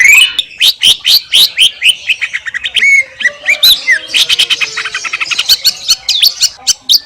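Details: Wild Indonesian greater green leafbird singing masteran song: an energetic mix of sharp chips, slurred whistles and a brief ringing note, building into a dense twittering passage.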